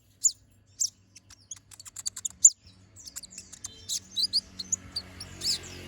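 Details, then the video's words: Brown-throated sunbird in full chattering song with sharp shots, recorded for training other birds: spaced, ringing high chips give way to a dense run of rapid thin notes, with a faint hiss rising in the background toward the end. "Pancingan Suara Burung Konin Gacor Ngobra Tembakan Tajam"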